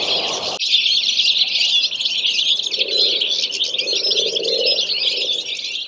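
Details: Goldfinch song as a dense, continuous high twittering chorus of tinkling notes, with a faint lower hum in the background.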